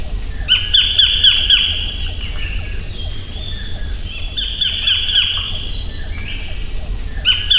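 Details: A Collared (White-collared) Kingfisher, Todiramphus chloris, gives bursts of four or five harsh ringing notes in quick succession, repeated after pauses, over a steady high insect drone.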